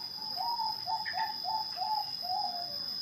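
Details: Bangkok-type zebra dove cooing a clear, rhythmic song of six short mellow notes, evenly spaced and gently rolling. A constant high-pitched hum sits in the background.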